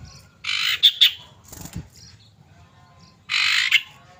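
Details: Female common iora calling a male, a lure for caged birds: two harsh, dense buzzy rasps with short bright accents, separated by a pause and a low thump.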